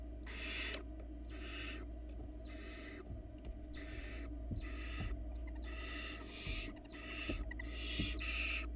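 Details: In a Florida nest box camera, fluff-ball barn owl nestlings beg as the female feeds them, giving a run of breathy, noisy screeches, each under a second, coming in quick irregular succession over a constant low hum.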